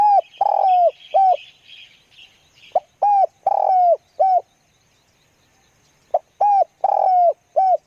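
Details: Spotted dove cooing for decoy luring: repeated phrases of a short note, a rounded coo, a long burry coo and a final coo, with a faint buzzy twittering of another small bird in the first three seconds.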